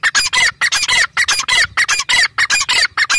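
A grey francolin gives loud, harsh, grating notes in quick succession, nearly two per second, rasping and high-pitched with no other sounds.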